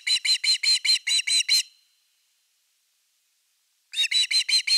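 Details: Evening fish delivery at Osprey nest #3, 30 August 2021: seven rapid, piercing chirps, about two seconds of quiet, then another fast burst of five.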